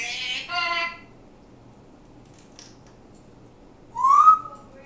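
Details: Pet African grey parrot talking and singing: a short burst of speech-like harmonic chatter, a quiet pause, then one clear rising whistle.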